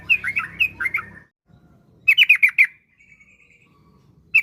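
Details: Yellow-vented bulbul giving short bursts of bright, liquid notes in groups of three to five, separated by silent gaps, used as a lure to make kept bulbuls sing; faint low rumble early on.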